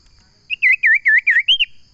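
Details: Common iora singing: a run of five clear, bouncing whistled notes, each dipping and rising like a quick swoop, ending on a higher upturned note, in a quiet background.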